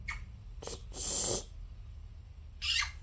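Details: Two pet conures calling indoors, giving short rough chirps and one longer, hoarse, breathy squawk in the middle, then a final sharp chirp.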